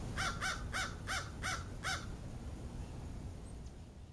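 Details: A crow near a bird-feeding spot shortly after dawn, 24 November 2012: six hoarse, harsh caws in quick succession over about two seconds, then silence over a low background rumble.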